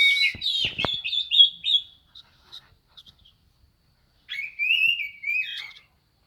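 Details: Oriental magpie-robin male in vigorous song opens with clicks and a fast whistled warble, falls quiet for over two seconds, then resumes with a smooth, sliding whistled phrase ending in short chirps.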